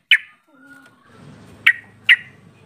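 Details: Yellow-vented bulbul calling: three short, sharp, clipped notes spaced apart, one at the start and two near the end, over a faint low hum and soft background noise.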